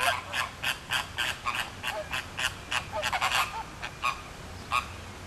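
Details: Captive flamingo flock at Philadelphia Zoo, the birds bunching together and circling while flapping their wings, with short, nasal, goose-like honks coming in a quick, uneven stream from many birds at once.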